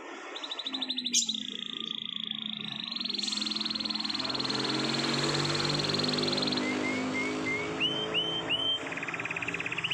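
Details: Canary in the morning performing a long rolled song: high trills stretching several seconds, then short rising chirps repeated in a series, over a loud low rumbling background.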